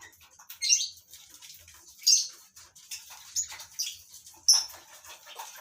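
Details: Captive lovebirds kept for colony breeding: scattered sharp, high squeaks and short shrill chirps stand out over a soft background of faint chatter, about one loud note every two seconds.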